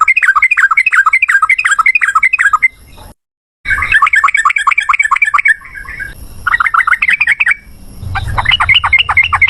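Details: Sooty-headed bulbul song in the long, fast 'ropel ngalas' manner, used as a lure for a reply. Repeated runs of bright, bouncing warbled notes, separated by brief gaps and a short silent break.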